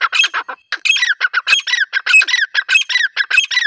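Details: Grey francolin female giving a hunting call, a dense run of loud, rasping, squawky notes repeated rapidly and almost without pause.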